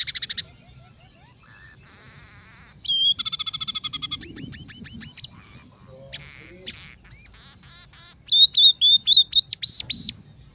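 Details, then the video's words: Scaly-breasted munia song carrying filler phrases of tree sparrow, red siskin and canary: a varied medley of buzzy trills, fast chattering rattles and descending whistles, ending in a run of bright rising and falling whistled notes. "masteran burung emprit peking gacor 008"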